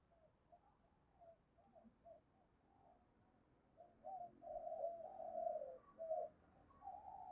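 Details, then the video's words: Caged decoy spotted dove calling to attract wild doves: quiet, low, blurred coos that build into a longer run of rolling notes midway, against a faint hiss. "Chim Cu Mồi Thúc Và Gáy Gọi Bổi"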